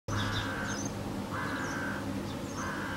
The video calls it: Crow, early morning wake-up call